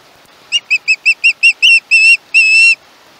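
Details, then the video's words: Screeching young osprey at its Chesapeake nest, filmed 21 August 2019 by a live nest camera: six clipped piercing notes quicken, then stretch into three long, drawn-out harsh screams. "Lil Bit is screechy! Chesapeake Ospreys"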